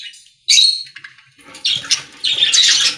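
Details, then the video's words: Pet-store budgerigars sing in rough, buzzy warbled bursts; a sharp squeak opens the sequence, then overlapping chatter swells twice. Faint low background noise can be heard beneath. "Budgies singing in Pet Store | Parakeet Sounds"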